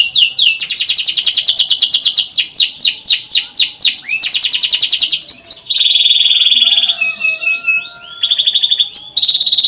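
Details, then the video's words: Canary in full song, meant to coax a young bird into singing: loud rapid trills of sweeping notes, a steady buzzy roll, then mixed whistles and chips, continuous and close. "Kenari gacor panjang cuit cuit,pancingan kenari paud AGAR Bunyi"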